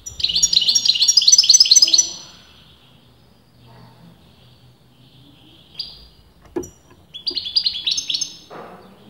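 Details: European goldfinch kept by breeders who disagree over whether it is male or female: a loud run of fast, tinkling high trills opens the recording, then a pause, a sharp click, and another twittering burst near the end.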